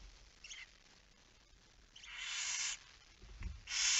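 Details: Barn owl at its nest during a night feeding, 10 September 2019 at 22:45. A faint hiss is followed by two louder, rushing hiss bursts, mixed with soft low thumps and scraping sounds.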